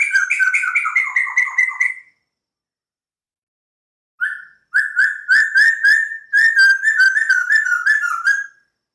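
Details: Captive white-crested laughingthrush singing loudly: a two-second burst of rapid descending whistled notes, a silent gap, then a longer stream of quick fluty, chattering phrases.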